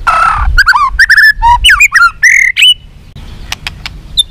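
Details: Long fighting-provocation song of a white-rumped shama: a harsh rasp, then two seconds of loud, varied whistles sliding up and down in rapid succession, ending in a high note, followed by several sharp tail-flick clicks.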